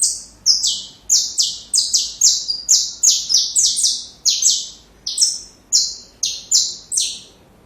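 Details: Song of a saffron finch, played for chicks to learn from: many bright, high chirps that slide downward, delivered in quick irregular bursts with short pauses, clean and without other sounds.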